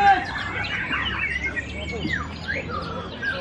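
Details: White-rumped shama at a singing competition in Semarang, Indonesia, giving a rich run of varied whistled phrases, rising and falling slurs and quick chattering notes, with other birds and background noise mixed in.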